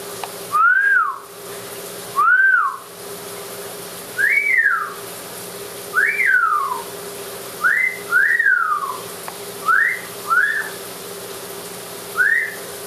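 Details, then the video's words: An Amazon parrot in the shower gives clear, arching whistles that rise and fall, about one every one to two seconds, over a steady hiss of running water. "Parrot Talking"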